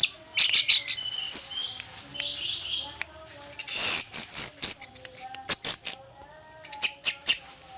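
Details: Song of an orange-headed thrush past its moult, delivered in loud, high, rich bursts of whistles, trills and mimic-like chatter, each burst separated by short silent gaps.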